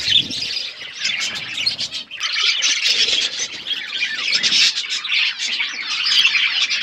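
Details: Budgerigar flock eating food, likely aviary birds: constant loud warbling and buzzy chirps from many birds, with a short dip in the chatter near two seconds.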